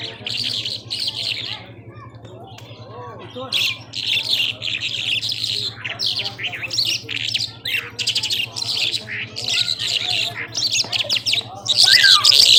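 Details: Irani Mashadi jhal skylark in nonstop, powerful singing: repeated bursts of buzzy, high trilled phrases, about three a second, separated by short gaps, with a steady low hum throughout.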